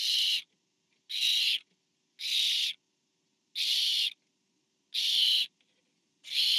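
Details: Barn owl parent delivering food to owlet number four at a webcam nest, 24 September 2015; harsh, noisy hissing bursts, even in loudness, recurring about every 1.1 seconds with silence between.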